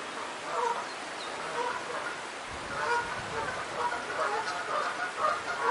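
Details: Geese calling by a stream during the day: scattered nasal honks, irregular and overlapping, over a steady broadband rush of flowing water.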